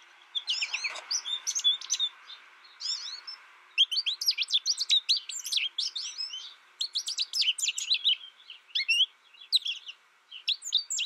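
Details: ['American goldfinch raised without other birds and tutored by a recording gives long, dense runs of high chattering chirps and twittered notes, broken by a brief pause, over a faint hiss.']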